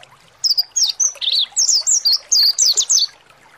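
Mountain white-eye singing a rapid, high run of thin, twittering notes that sweep up and down, about a dozen phrases in three seconds, with faint background hiss.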